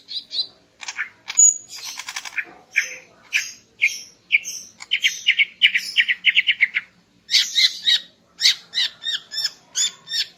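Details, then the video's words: Female greater green leafbird singing in the morning, meant to arouse a male: a rich, varied run of chirps, buzzy notes and clear whistles between 2 and 8k, phrases shifting quickly and ending in rapid repeated twitters. "Kicau Burung Cucak Ijo Betina Pagi Hari untuk Naikkan Birahi Cucak Ijo Jantan"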